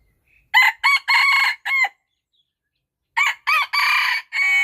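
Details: Rooster crowing twice, each crow four raspy harmonic syllables with a longer sustained third note, separated by about a second of silence; the second crow is cut off at the end, with nothing else audible.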